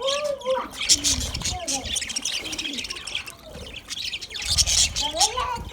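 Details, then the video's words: Budgerigars chirping while eating food, a busy warbling chatter of high twittering notes mixed with short rising and falling whistled phrases, several birds calling at once. "Budgies chirping sound"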